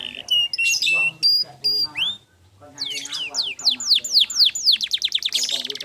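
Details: Clear-voiced canary song used as a training recording: sharp whistled notes and short buzzes, a brief pause, then a run of rapid downward-curving whistles building into a dense high trill.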